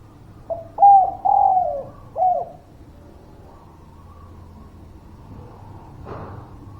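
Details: Spotted dove song meant to coax reluctant birds into singing: one hollow four-part phrase of soft coos with a longer falling middle note, followed by several seconds of quiet and a dull thump near the end.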